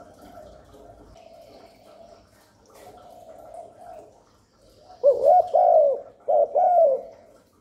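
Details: Spotted dove cooing meant to draw in wild doves and stimulate newly kept ones; a few seconds of faint, muffled murmuring, then a loud, clear sequence of three soft coos near the end.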